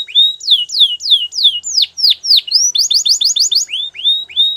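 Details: Singing Belgian canary used for training, delivering a run of loud falling whistled slurs about three per second, then a rapid burst of short clipped notes and more rising-falling whistles.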